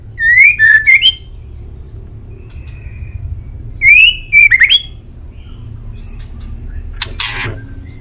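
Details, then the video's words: White-rumped shama song used as a master recording to make pet birds answer: two bursts of loud, rich whistled phrases with sliding and warbling notes, separated by quiet gaps, over a low steady hum. "MASTERAN MURAI DI JAMIN BURUNG ANDA LANGSUNG NYAUT"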